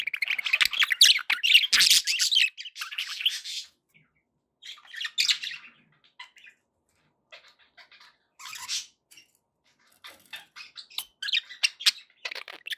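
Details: Happy pet budgies indoors, opening with loud dense warbling and squawking, then quieter scattered chirps and short squeaky bursts separated by silent pauses, picking up again toward the end.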